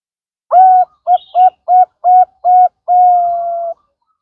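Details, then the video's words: Bangkok-type zebra dove singing, used as a lure song to prompt other doves to sing: a series of six short pulsed coos in quick succession, ending in one long, steady, slightly falling coo, clean with no other sounds. "pancingan perkutut Bangkok"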